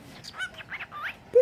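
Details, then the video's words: Pet cockatiel mimicking human speech: a quick string of whistly, voice-like syllables with rising and falling inflections, then two abrupt louder, lower notes at the end. "My birds smokie talking"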